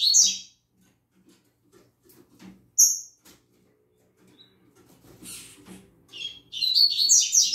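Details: Double-collared seedeater in a cage singing in the morning, a high twittering fragment and a sharp single note, then a longer buzzy warbling phrase at the end, over low rustles and thumps.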